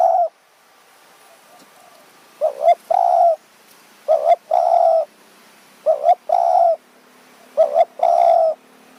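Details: Spotted dove luring wild birds with a decoy in high mountain forest near Kanchanaburi, Thailand, evening. Four loud phrases, each two quick rising notes followed by one longer level coo, repeating about every two seconds in quiet surroundings.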